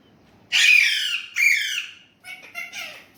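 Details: After a moment of quiet, an Indian ringneck parrot that talks Urdu/Hindi lets out two loud scratchy, falling squawk-like phrases, followed by softer clipped syllables.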